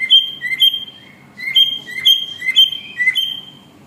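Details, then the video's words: A cockatiel's song as a lively run of clean whistled notes, many short and repeated about twice a second. The notes step up and down between two pitches, with one brief pause near the middle. "Cockatiel singing | Cockatiel Sounds"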